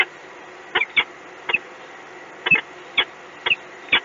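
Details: A peregrine falcon at the EDF power plant in Gdynia, Poland, gives short, harsh, scratchy notes, often in quick pairs, spaced irregularly about once a second over a steady low hiss.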